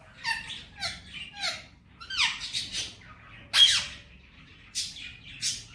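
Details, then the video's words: Indian ringneck parakeet, a male pet, mimicking Hindi-Urdu speech: three short hoarse syllables, a pause, a rapid cluster of scratchy words, then a sharp loud squawk and two further clipped calls, all in a quiet room. "Talking parrot real voice, and saying Mitthu bete || Miya Mithu"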